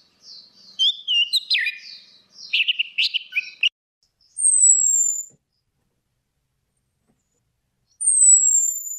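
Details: Male and female orange-headed thrush in ngeplong song, a lure for a stuck, non-singing bird: quick varied whistled and chattering phrases over about four seconds, followed by two long, thin, very high whistles gently falling in pitch, separated by silence.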